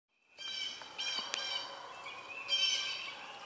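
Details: Southern Red-shouldered Hawk at a nest with young about to fledge, as an adult brings food (a snake swallowed whole): harsh, high, rasping screeches running about three seconds, sharper accents near the start and a louder rising note near the end.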